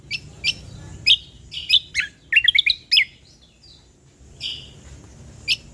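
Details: Ruby-throated bulbul (cucak kombo), used as a lure and tutoring recording for birds: a busy run of bright, sharp chirps and short twittering notes, bunched in the middle and spaced out at the ends, over faint low background hum.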